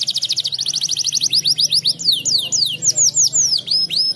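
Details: Vigorously singing canary on a therapy track: a very fast high trill that gradually slows into separate slurred, swooping whistles, each dropping or rising in pitch, delivered in a continuous loud stream.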